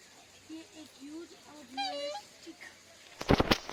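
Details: A captive black swan in a bird aviary in Gujarat, India, gives soft, low crooning notes that rise and fall, then a brief higher bugling phrase; sharp clattering knocks follow at the end.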